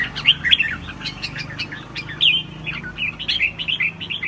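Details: Red-whiskered bulbul singing a classic "ché" style song: a steady run of bright chirped and warbled notes, with a few louder slurred whistles standing out near the start and the middle, over a faint low hum.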